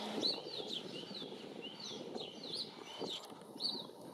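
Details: Female Red-legged thrush (Turdus plumbeus), the third North American record, at South Pointe Park, Miami Beach, Florida, 29 June 2019, gives a string of high, slurred rising and falling notes, about two per second, over a steady low rumble. House sparrow and northern mockingbird are also audible.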